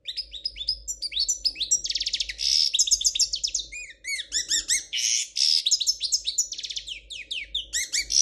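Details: Spanish royal goldfinch singing continuously, weaving high tinkling notes, rapid buzzy trills and sliding whistles into a lively, unbroken stream described as free of mistakes.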